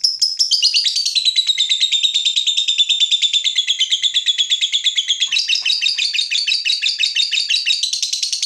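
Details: Caged fighter lovebird, provoked by a rival, in a long ngekek: a harsh, high chattering trill of rapid notes, about three per second, that runs unbroken for over eight seconds and rises in pitch near the end.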